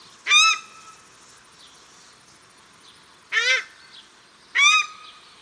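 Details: Male and female paradise shelducks at Cornwall Park, Auckland, New Zealand; three loud, harsh honking calls spaced a few seconds apart, one lower in pitch.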